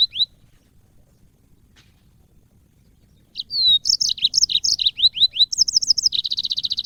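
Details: Yellow-fronted canary, a cage bird, singing in training audio: one short high note, three seconds of quiet, then a rush of high upslurred and downslurred whistles building into rapid buzzy trills near the end.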